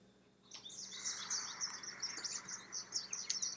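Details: American goldfinches at a bird feeder under a tree in March, dropping down to feed and flying back up into the tree, give a high, rambling stream of twittering and chirping notes with little pause, over faint background hum.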